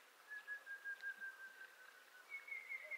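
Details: Montezuma quail, a secretive quail of Mexico and nearby United States, giving a long, thin, slightly quavering whistle that drifts gently downward, followed by a brief higher whistled note, over faint background hiss.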